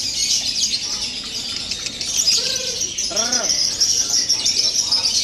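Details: Lovebird kept as a fighter-type singing bird: a dense, high, continuous chattering and twittering stream, with a few lower warbled notes near the middle.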